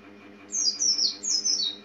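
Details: Oriental white-eye, a small yellowish passerine of tropical Asian open woodland, giving high, thin descending chirps in two quick bursts, each note sliding downward, over a faint steady low hum.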